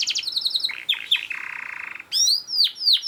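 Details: Short burst of canary song meant to teach other canaries: high stuttering notes, a steady low buzzing trill, then loud sharp downward whistled sweeps.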